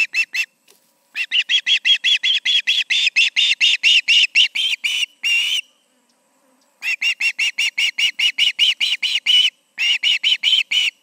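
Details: Two ospreys at their nest around 7pm in late August; long runs of shrill, rapid, piping chirps, broken by short pauses, steady and insistent throughout.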